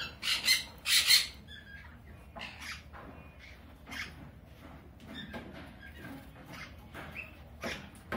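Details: A sun conure pair while mating gives two loud, harsh screeching squawks early on, followed by softer raspy chatter and squeaks at irregular intervals in a quiet room.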